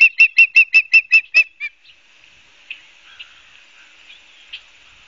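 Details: At an osprey nest on a live cam in Barnegat Light, New Jersey, 12 September 2022, 16:34: eight rapid piercing whistled notes, then the series stops and only a few faint notes follow over a quiet background.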